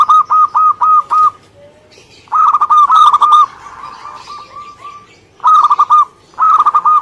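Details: Local Indonesian zebra dove (perkutut) singing actively: a string of evenly spaced staccato coos, a longer rolling phrase trailing into a softer purr, then two more quick cooing bursts.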